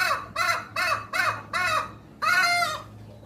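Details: Strange, unique call of a hen: five short, hoarse, arched notes spaced about a third of a second apart, then a pause and one longer drawn-out nasal note.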